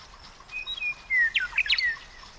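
Western meadowlark singing a quick run of clear, flute-like whistles that slide downward, then a burst of gurgling, warbled notes, over faint outdoor background noise.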